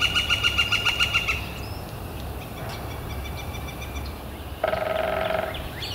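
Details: A Northern flicker on a warm, clear spring day, April 28, 2014, gives a short burst of quick repeated notes lasting just over a second. Faint scattered chirps and a harsh, low buzzy burst follow near the end.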